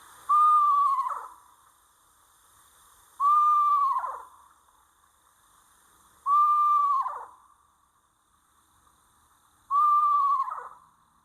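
An Eastern Screech-Owl gives a quavering, horse-like whinny that falls in pitch, repeated four times about every three seconds, with no other sounds.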